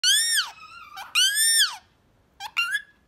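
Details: A young Indian ringneck (rose-ringed parakeet), a talking pet, gives two loud, harsh, arching screeches about half a second long, then a few shorter squeaky notes, in a quiet room.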